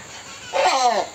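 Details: Hornbill in a zoo cage at a park, giving a loud call likened to barking: a single harsh, nasal burst with stacked bands that swells abruptly after half a second and holds briefly, over faint background hum.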